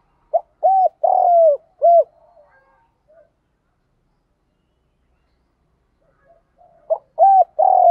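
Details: Spotted dove coos for stirring and training decoy birds, male and female voices included. A four-note phrase of a clipped note and hollow coos, a long silence, then the phrase starts again.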